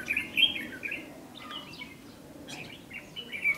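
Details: Red-whiskered bulbul at a fighting trap on 8 July 2016, scolding and threatening a decoy bird: bright warbled phrases of quick rising and falling notes, repeated in short bursts with brief pauses.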